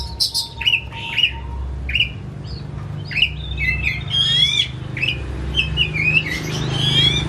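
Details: Pet white-rumped shama kept at home, not for contests, singing agitated with tail spread; varied whistled notes and harsh squawky phrases, some rising and sliding, over a low indoor hum.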